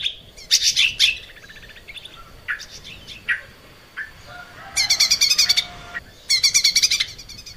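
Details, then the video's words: Training song of a lesser green leafbird for cage birds: varied phrases of fast rattling chips, sharp whistles and scratchy notes, delivered in bursts of about a second separated by softer, scattered calls. "kicau cucak ijo mini gacor buat masteran"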